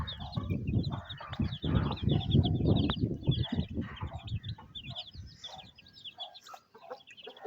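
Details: Village in Pakistan, rainy weather, a mother hen feeding her small chicks; constant shrill chick peeps over heavy low rumbling and pattering, with some soft clucking notes.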